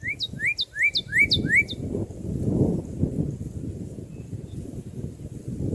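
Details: Red-crested cardinal singing, its song likened to the Korean phrase "geureochi, geureochi" ("that's right"): a quick run of five clear, upslurred whistled notes in under two seconds, then quiet over a low background rumble.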